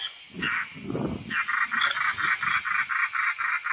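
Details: European roller at its nest in Italy while young leave the nest; after low rustling, a quick regular series of about a dozen grating, raspy notes, with a continuous high insect drone behind.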